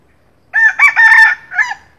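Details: Morning lure call of a junglefowl, the king of the junglefowl: a single crisp crow in four parts. A short opening note and a quick second syllable lead to a stretched, rasping middle and a softer, dropping last note, with clean silence around.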